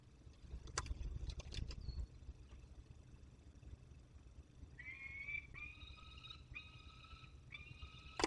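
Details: Young peregrine falcon holding prey in the Barycz Valley, Poland, on 30 August 2022. The second half has four drawn-out, harmonic wailing calls, each under a second long, in close succession. Rustling and thumps come first.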